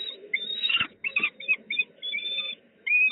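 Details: Peregrine falcon in Poznań, Poland, 8 July 2020, giving short squealing whistled notes in quick succession, some drawn out and some clipped, with brief silences between them and a soft low rumble beneath.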